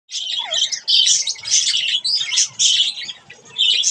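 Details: Budgerigars at bath time, giving dense, scratchy warbled chatter in bursts of roughly a second, with short gaps between bursts and a brief lower whistled note near the start.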